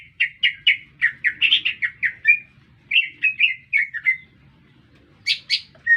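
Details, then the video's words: Energetic green leafbird song, urban surroundings: fast series of sharp slurred chirps, a short gap, more descending notes, then high bursts at the end; faint low background hum. "Cicak Ijo Gacor Bikin Meledak Suasana"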